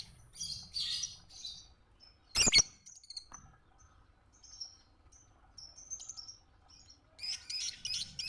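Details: Lovebird song used as training material for other birds: scattered scratchy chirps, a loud sharp crack, then sparse thin high notes and a final buzzy twittering burst.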